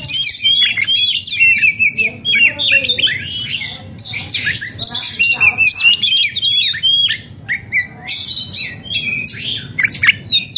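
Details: Agitated oriental magpie-robin in breeding condition singing loudly: dense bursts of sharp whistles, buzzy chirps and scratchy notes broken by brief pauses.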